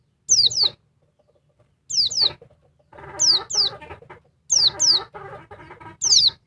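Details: A noisy female oriental white-eye provokes a male with high, steeply falling whistles in quick pairs, repeated every one to two seconds, overlaid on bursts of rapid buzzy chatter.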